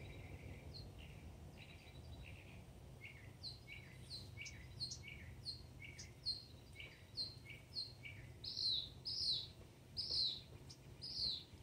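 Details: Mockingbird serenade: a varied string of short chirps and slurred notes, about one per second. Several note types come in repeated runs, growing louder and buzzier toward the end, over low background hum.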